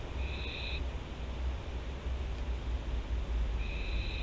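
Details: Théding barn owl family, 24 September 2021: a short harsh screech at the start, then a near-silent gap of almost three seconds, then a second similar screech, under a constant low drone.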